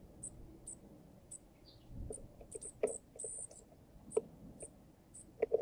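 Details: Wild juncos at a miniature balcony pub, an adult male feeding a baby junco from the bar; short, very high thin notes repeated at irregular intervals over soft low background rumble and a few faint clicks.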